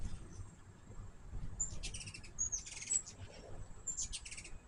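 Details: At a feeder, hummingbirds give two clusters of rapid, very high chips with tiny squeaky whistles, the first burst longer, the second near the end, over quiet low background noise.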